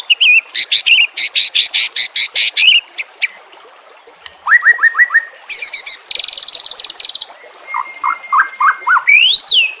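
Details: White-rumped shama singing over trickling water in a training recording for caged birds: rapid buzzy repeated notes, falling slurs, a fast high rattle, and a closing high arched whistle.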